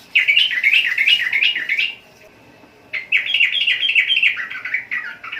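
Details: Sooty-headed bulbul in loud, dense song: a fast bubbling chatter for nearly two seconds, a second of quiet, then another long run of quick, tumbling, slightly buzzy notes.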